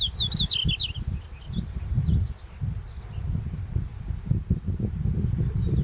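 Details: Red-flanked bluetail singing at sunrise in early July in the Daisetsuzan mountains, the first bird to start each morning: one bright, high, warbled phrase that tumbles downward at the start, then faint distant notes over strong low wind rumble.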